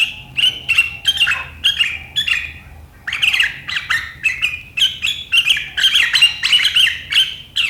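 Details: Sharp riwikan chatter from a sooty-headed bulbul, the kind said to draw rivals into chattering, 7 April 2023; harsh bursts, a pause near three seconds, then a rapid run of buzzy notes and bright whistles.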